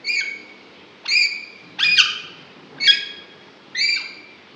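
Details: Alexandrine parakeet, a green ringneck, talking inside its cage; five rasping, harmonic notes spaced under a second apart, some with a falling tail, against low indoor background noise.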